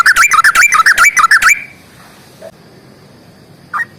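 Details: Yellow-vented bulbul pouring out a fast, fighting-style song with long phrases: about a second and a half of rapid, bubbly, rising-and-falling whistles, then quiet background hiss with one lone note near the end.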